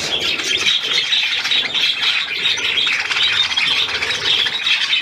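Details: Captive budgerigars recorded on 12 July 2022, chattering as a group: a dense, continuous warble of high, scratchy chirps and squeaks, all overlapping with no pauses.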